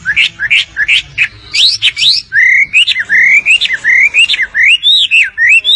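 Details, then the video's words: Grey-cheeked bulbul singing in the hand, used to train other songbirds: a rapid run of clear rising whistles, then sliding, looping whistled phrases repeated almost without pause, loud and lively throughout. "BURUNG WAMBI GACOR DI TANGAN"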